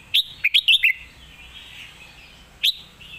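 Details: Red-whiskered bulbul, a competition songbird, singing its master song: a rapid string of four bubbly, whistled notes, a pause, then one more bright rising note.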